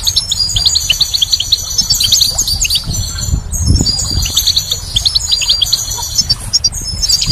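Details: Goldfinch singing in spring, continuous fast liquid twitters, tinkling notes and buzzy trills running without a break, against soft low background noise.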